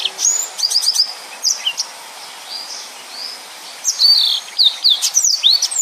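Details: Yellow-fronted canary singing actively in the dense 'nembak' style used for tutoring other birds: high thin whistled slurs and quick rising and falling notes in bursts, with short pauses between phrases.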